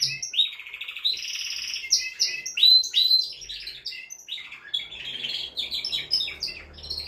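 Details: Singing male canary, used to prepare a hen for breeding, delivering sweet whistled notes and rolling trills in quick succession, the phrases running without pause.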